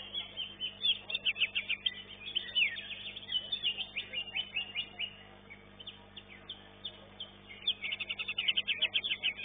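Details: Greater green leafbird (cucak ijo) singing in a caged-bird competition, elite class, second-place entry; bursts of sharp high chirps in fast series, a brief quieter pause, then another rapid chattering burst.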